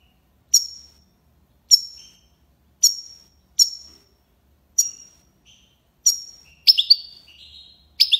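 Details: European goldfinch of the tiwawati song style from Algiers, Algeria: a series of short, sharp, high chips about once a second, ending in a quick twittering flourish.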